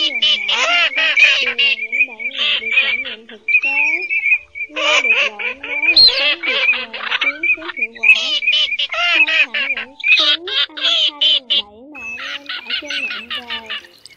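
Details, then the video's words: Pheasant-tailed jacana lure recording, male and female, used to net migratory birds at night in August: a dense run of nasal, mewing squawks with bending pitch, repeated rapidly and overlapping almost without pause. "Tiếng Mồng Két , Két Cá"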